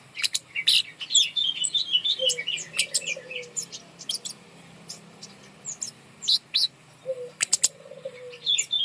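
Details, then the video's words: Birdsong used as a lure to get quiet birds singing: a rapid high warbled phrase near the start, then scattered sharp chirps and ticks, with two soft low coos in the background. "gantang burung kemade di atas untuk pancingan burung malas bunyi"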